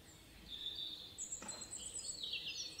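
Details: Robin singing high, thin, varied phrases that waver and slide, a short tinkling run followed by a higher sweeping strain, with a single soft knock partway through and a faint outdoor hiss behind.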